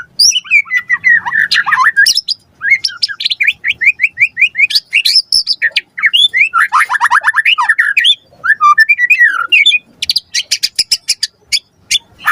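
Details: Lure song of a white-rumped shama, sung vigorously to draw a response: long run of fluty whistles, descending slurs and rapid chattering trills, ending in a dense series of sharp, clicking repeated notes.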